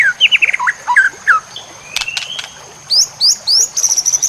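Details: Masteran of white-rumped shama song for training birds: a series of mellow slurred whistles, a few buzzy notes, then high rising sweeps repeated in quick succession, over a steady high tone.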